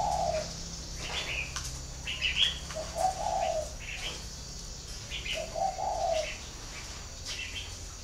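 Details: Spotted dove at a breeding farm in Ba Vì, northern Vietnam, giving soft low coos about every two and a half seconds, each a short hollow phrase, while small birds chirp higher and brighter between them.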